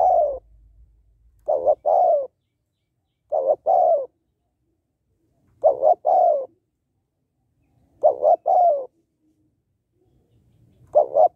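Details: Spotted dove hen calling to stimulate males for training and trapping: six steady cooing phrases over about eleven seconds, each a double coo then a drawn-out falling note, otherwise quiet.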